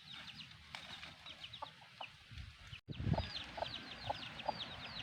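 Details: A black hen and her chicks: high, quick descending cheeps from the chicks throughout, joined after a short break by several soft, low, evenly spaced clucks from the hen.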